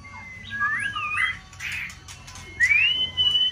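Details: White-rumped shama, a caged contest bird, giving a looping warbled whistle followed by a clear rising, then level whistled note.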